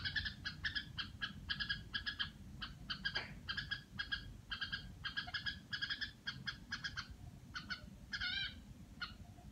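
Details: Red-whiskered bulbul kept at home, giving a harsh, buzzy chatter: short rasping notes in quick bursts, repeated almost without pause over a low background rumble.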